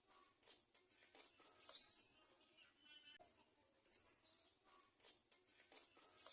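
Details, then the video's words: Olive-backed (garden) sunbird chick at the nest giving two thin, very high squeaky begging calls for food, one rising sharply, about two seconds apart, with faint ticking between in an otherwise quiet setting. "Garden sunbird baby bird cries for food at the nest"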